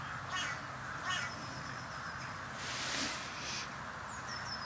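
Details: Carrion crows at a February bird feeding tour, a flock that regularly visits, give two short harsh caws followed by a rougher burst, while a thin, high falling whistle from another bird is heard at the end.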